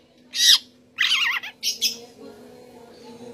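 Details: Oriental magpie-robin (kacer) singing: a loud bright burst, then a wavering whistled phrase that dips and rises, and two quick sharp notes before a faint tail, over a steady low hum.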